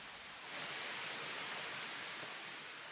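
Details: Steady hiss like rushing water or wind, with no animal sound.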